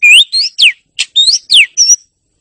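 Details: Oriental magpie-robin (kacer) song: a quick string of clear whistled notes, some rising, some sharply falling, in short separate phrases with brief gaps, bright and high with no background sound.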